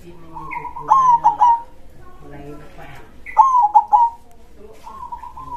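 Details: Local zebra dove (perkutut) calling loudly in the 'dor krosing' style: two phrases of three emphatic falling coos, followed by a purring trill, with faint softer sounds in the gaps.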